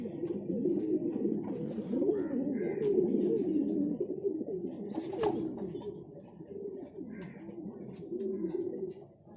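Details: Siraji pigeon, a fancy domestic pigeon breed, cooing: low, soft rolling coos that rise and fall in overlapping phrases, nearly continuous throughout, slightly fading near the end, with faint background noise.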